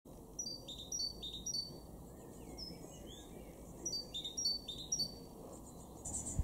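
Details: In a garden in Weener, East Frisia, northwest Germany, in May 2023, a great tit gives quick groups of thin, high, downward-sliding call notes in two bursts a few seconds apart, over a low steady background rumble.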